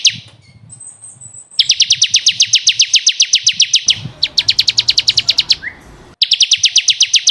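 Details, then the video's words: Bar-winged prinia, ciblek kristal, recorded to train caged birds: a thin high whistle, then long fast trills of sharp notes in repeated bursts with a quick slurred chirp between them. "SUARA BURUNG CIKRIS | CIBLEK KRISTAL GACOR"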